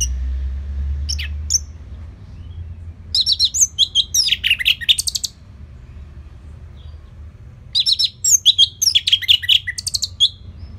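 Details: Orange-headed thrush in relaxed, continuous song for teaching other birds: two long, rich bursts of rapid warbling and chattering high notes, each about two seconds, separated by a quiet pause.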